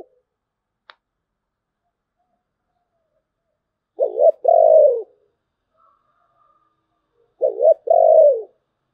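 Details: Spotted dove singing in the 'thổ bầu' voice style. Two low, mellow cooing phrases about three seconds apart, each a short stuttered note followed by a longer drawn-out coo falling at the end. Otherwise quiet apart from one sharp click.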